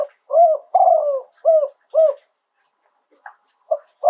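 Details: Spotted dove singing live in Thailand in the 'yon 2 kuk' style: a phrase of four low coos, the second long and falling, then a pause and scattered single coos.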